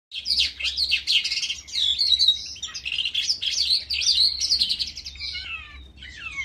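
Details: Calandra lark singing in a ravine: a continuous rapid warble of chirps, trills and twittering notes held high, with a few clear descending whistles near the end and a faint low hum beneath.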